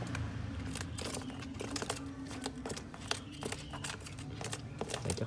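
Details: Indoor handling noise: crinkling, tapping clicks over a low hum, with no animal calls.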